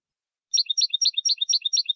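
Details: European goldfinch singing a copia malaga phrase, meant for young birds to copy. A rapid, rhythmic sequence of three-note groups, each a high note, a louder buzzy middle note and a short low note, repeats about every quarter second.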